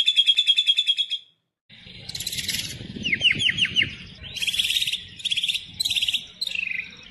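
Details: White-rumped shama (murai batu) singing vigorously in the gacor style, full isian, used as a lure: a fast buzzy repeated trill, a short pause, then bright chattering bursts and quick down-slurred notes over low background rumble.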